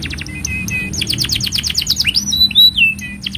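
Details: Canary in full, lively song, used as a master to teach young canaries: quick repeated chirps, a run of rapid rising notes, then looping whistled glides, with a constant low background hum.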